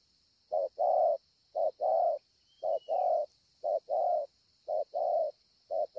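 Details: Scar-breasted 'bổi' spotted dove recorded at Ngọc Hồi, Vietnam, 25 March 2020, cooing well: low paired coos, a clipped note then a longer full one, repeated about once a second in a steady run, with a constant high hum behind.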